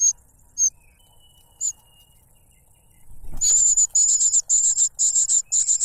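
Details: Cuckoo chick begging from its foster parent, which stuffs a butterfly in its mouth; a few isolated high notes, then a rustle and a sudden outburst of fast, shrill, hissing begging notes.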